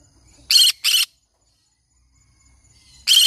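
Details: Green-cheeked conure parrot giving loud, harsh, raspy screeches: two short bursts in quick succession, a silent gap of about two seconds, then a third burst. No other clear sounds.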